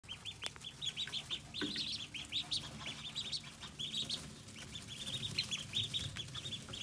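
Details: Pekin ducklings recorded on 14 August 2020, several calling together: rapid, high, slightly rising peeps tumbling over one another in a steady chatter, with faint low rumbling underneath.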